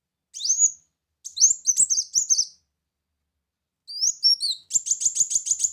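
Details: Brown-throated sunbird song used as a lure to attract birds: very high, sharp sweeping whistles and twittering phrases in short bursts separated by silences, ending in a fast run of rapid repeated notes.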